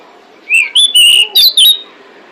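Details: Female pied bushchat call meant to attract males: one short burst of five clear whistled notes, rising then slurring down, delivered rapidly in little more than a second above a steady low hiss.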